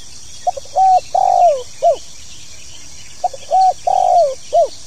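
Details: Tekukur, the spotted dove, giving its 'pokal tanggung' call twice: tiny clipped notes, a steady coo, a longer falling coo and a brief hooked ending, the phrase repeating after about a second and a half.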